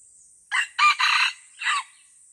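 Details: Aceh wild junglefowl in the Lamteuba forest, fighting: a single loud crow in four parts, clipped first note, long rough middle section, pause, then a descending last syllable; soft high-pitched insect drone throughout.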